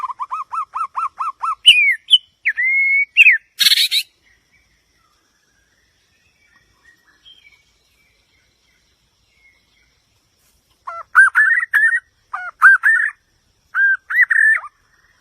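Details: White-rumped shama song opening with a fast even trill of repeated notes and scattered whistles, then a long silence before three bursts of varied, twisting whistled phrases.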